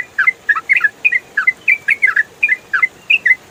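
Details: Trucukan, the yellow-vented bulbul, giving a rapid ropel-style run for training songbirds: loud clipped double chirps repeated about four times a second, evenly bright against low background hiss.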